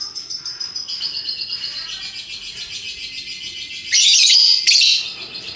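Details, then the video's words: Hook-billed lovebird keeping up a long ngekek: a fast, buzzy high chatter pulsing steadily, then two loud rasping screeches near the end. "Burung Lovebird Rupa Rupa Warnanya, Burung Paruh Bengkok, Bunyi Ngekek Gacor"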